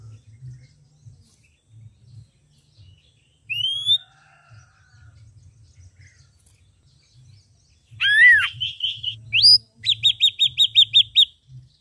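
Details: Ashy drongo with red eyes in full song: after quiet stretches with low rumbling, a single rising whistle, then a harsh down-arched note, varied chattering notes and a rapid series of seven or eight evenly repeated sharp whistles.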